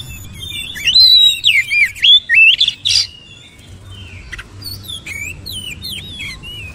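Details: Oriental magpie-robin song: a burst of strong, varied whistled notes with rapid up-and-down slurs, a brief pause, then softer twisting chirps and thin high whistles over faint low hum.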